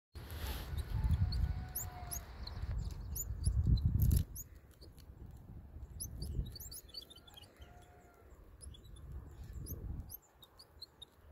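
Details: Black-throated sparrows, adults feeding young: thin, high chirps repeated in quick, uneven series, with low rumbling noise and a loud burst near the start.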